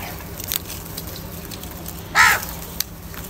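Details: Crow calling during a fight over food, a single short, hoarse caw near the end, with scattered clicks and soft background noise.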